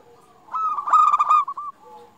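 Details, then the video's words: Single phrase from a local zebra dove, a lure song to prompt other zebra doves: a soft low note swells into a loud, quickly stuttering coo, then fades to a quiet low tone. "Perkutut Lokal Gacor Paling Ampuh Untuk Pancingan Burung Perkutut Agar Bunyi"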